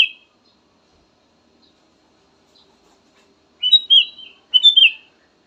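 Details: Ruby-throated bulbul singing: after a short opening note and a long pause, two rich, fluty, warbled phrases follow in quick succession, each a cluster of clear sliding whistles, with no other sounds.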